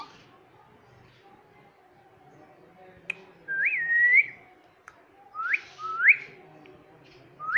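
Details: A pet rose-ringed (Indian ringneck) parakeet talking, mimicking words like "Mitthu" and "Mummy": four clear whistled, word-like phrases, each a quick rising sweep, spaced a second or two apart, over a quiet indoor hum.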